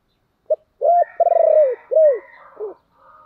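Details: Spotted dove used as a lure to get wild doves cooing in reply: a clipped opening note, then a run of four mellow coos, the second long and vibrating, each bending downward, with faint higher notes trailing.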